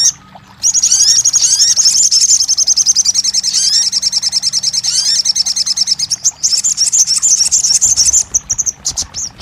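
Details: Crested jay (sogon) recording played as therapy to get a silent bird singing and answering: a loud, rapid high mechanical rattle of about three notes a second, mixed with short rising whistled strokes, briefly pausing near six seconds before resuming.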